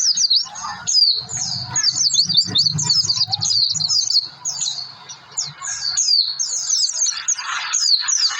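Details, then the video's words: Lure song of an Oriental white-eye meant to prompt birds into singing, a fast run of high, jumbled twittering notes with short breaks, over a low droning hum in the first seconds. "pleci gacor pancingan suara pleci"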